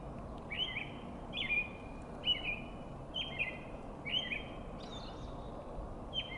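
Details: Foggy spring morning robin song: seven short warbled whistles in a steady, unhurried series, about one per second, with a faint second bird audible near the end over broad low rumbling noise.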